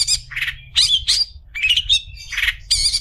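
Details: Long-tailed shrike song used as a tutor recording for training other shrikes: harsh squawky bursts alternate with short whistled, slurred phrases, loud and close, in uneven groups with brief pauses.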